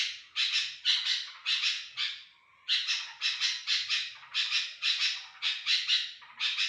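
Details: Busy sooty-headed bulbul used as a decoy for other bulbuls: grating, buzzy bursts in rapid clusters, a half-second pause near the middle, then the rasping series resumes steadily.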